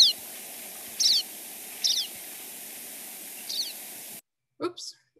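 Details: Pine Siskins flying over give four high, squeaky, wiry flight calls spaced about a second apart over a steady hiss, ending with a brief human sound.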